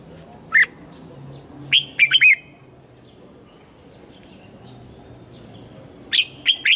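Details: Lure red-whiskered bulbul singing to draw wild birds in for fighting: short loud bursts of rich, slurred whistled notes, a single note, then a quick three-note phrase, a pause, and another phrase starting.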